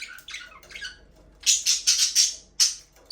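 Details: Aviary budgies, a breeding pair, first softer warbled chatter, then a rapid series of five or six loud, harsh squawks followed by one more sharp call.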